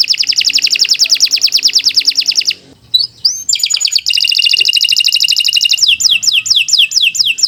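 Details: Canary kept as a singing model for young or silent canaries gives a long fast buzzy trill, a short pause with rising whistles, another rolling trill, then descending whistled sweeps.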